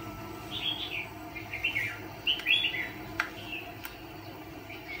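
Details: Red-whiskered bulbul used as a decoy bird for trapping fighting birds, giving short, bright warbled phrases of rising and falling whistles over about three seconds, then a few softer notes against a faint steady background hiss.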